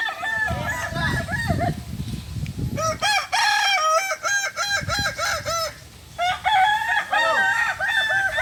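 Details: ['Kukuak balenggek rooster from Solok, West Sumatra, competing in a practice crowing contest: a long stepped crow of many repeated, evenly spaced syllables, pausing once and resuming, with murmuring voices behind.']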